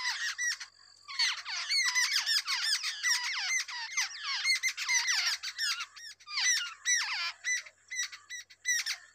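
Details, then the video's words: Wild babbler feeding two chicks at a nest; dense, continuous harsh squawking calls from the young, rapid overlapping buzzy notes with downward sweeps, barely pausing over nine seconds. "Wild babbler is feeding two different babies"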